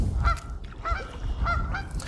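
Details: Canada geese in the Macatawa Marsh in spring, heard from a kayak with sandhill cranes nearby, give four loud, nasal honks about half a second apart over a low rumble of wind and water.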